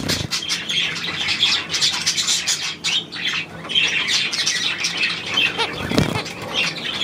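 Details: Budgerigars on 9 February 2024 giving a loud run of harsh squawks and scratchy chirps, many birds calling at once with barely a pause, a low bump near six seconds.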